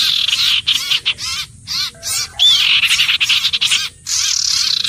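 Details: Common iora singing: strong, fast runs of scratchy chattering notes with short gaps, one clear rising-falling whistle in the middle.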